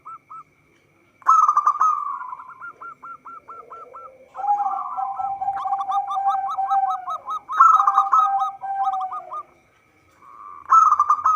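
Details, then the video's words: Zebra dove singing actively, kept for luring birds into traps: repeated bursts of staccato cooing notes in quick series, overlaid mid-clip by a lower drawn-out tone, with short pauses between phrases. "Perkutut lokal gacor suara cocok untuk pancingan."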